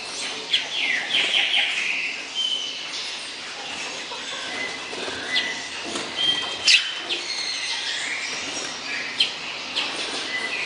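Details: Hepatic tanager (Piranga flava) song: short warbled, slurred phrases in the upper-middle range, a burst near the start and another later, with scattered sharp chips over a steady hiss of insects.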